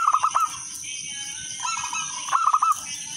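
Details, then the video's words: Song of a local wild-type zebra dove, played as a lure so other doves join in. Two rapid, rolling trilled coo phrases, one at the start and one near the end, over a steady background hiss. "perkutut lokal alam gacor suara kristal irama merdu pancingan semua perkutut ikut manggung gacor"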